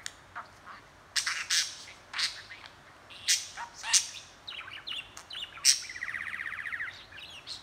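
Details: Talking, chattering budgerigar: loud sharp chirps and squawks in bursts, ending in a raspy, buzzy warble with stacked tones.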